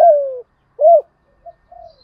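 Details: Spotted dove in thổ đồng style, used to excite decoy doves: the tail of a long falling coo, a single rounded arched coo, then two quiet soft notes.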